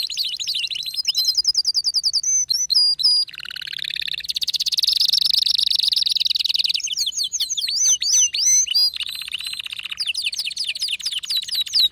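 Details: Ferocious canary song with long varied phrases: rapid high trills, a lower sustained buzzy roll lasting several seconds, then bursts of quick looping whistles and renewed fast trilling.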